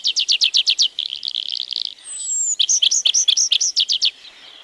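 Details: Forest-dwelling Tree Pipit, Wielkopolska National Park, Poland, recorded 1990: crisp repeated notes, then a fast buzzy trill, a long thin falling whistle, and renewed loud repeated notes with varied chirps.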